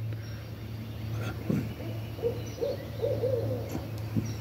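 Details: Barred owls at Long Lake Resort, Poteau, Oklahoma, on 23 May 2023: a run of low, wavering hoots that rise and fall in pitch near the middle and end, over a steady low hum with a few clicks.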